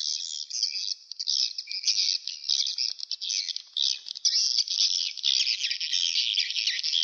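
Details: Swiftlet calls played from a swiftlet-house speaker to lure birds: a dense, continuous twittering of high, overlapping chirps with no pauses, as if from a large colony.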